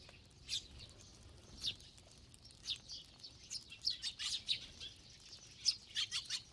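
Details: Flock of sparrows feeding together, a chorus of brief high chirps and tweets coming irregularly, denser toward the end, over a quiet background.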